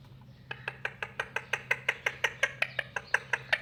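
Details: Talking pet ringneck, a rose-ringed parakeet, during cuddling: a quick, steady series of short harsh buzzy notes, roughly six per second, over a low steady hum.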